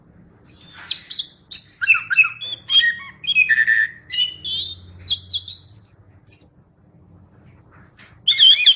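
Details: Chestnut-backed thrush singing energetically, mixing high thin whistles, slurred descending notes and chattering elements in quick succession. A short quiet spell precedes a final loud phrase.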